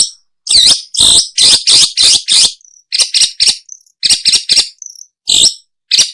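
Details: A long-tailed shrike, recorded for luring birds, makes loud, buzzy, harsh notes with a high whistled edge, repeated in quick bursts with brief pauses and a few thin squeaks between them.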